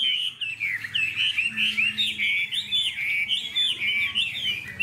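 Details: Caged hwamei with a spread tail singing in the afternoon: a continuous, loud, rich stream of warbled, slurred whistles, rapidly varied and pulsing several times a second, with a low hum beneath.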